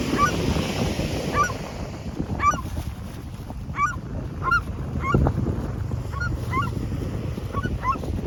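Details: Gulls calling repeatedly, short sharp harmonic yelps that rise then fall, arriving about once a second in irregular bursts over steady low wind rumble.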